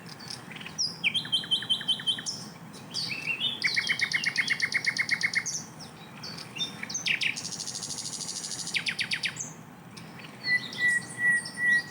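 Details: Asian brown flycatcher master song with rapid tembakan bursts. A long, varied medley of rattles, high chips, fast trills and sweeping notes ends with clear sustained whistles.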